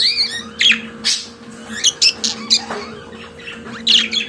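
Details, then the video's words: Caged pet budgerigar chattering with scratchy chirps and short whistled notes in irregular clusters, a quieter stretch midway, then a louder burst, over a faint steady hum. "Periquito Australiano de Estimação Cantando Som de Pássaros de Periquitos Naturais"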